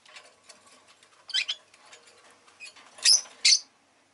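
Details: Rosy-faced lovebird chirping over soft scattered clicking. A pair of shrill notes comes first, then two louder piercing chirps near the end.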